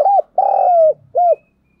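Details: Decoy spotted dove, 2022: mellow three-part coo, a short bowed note, a long steady note falling at the end, and a closing short bowed note, with faint low hum.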